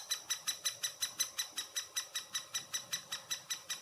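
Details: At a great spotted woodpecker nest in Furuberget, Hamar, Norway, in summer 2017, recorded handheld with a Panasonic Lumix FZ2000: a very even train of harsh, noisy notes, nearly three a second, with no pause.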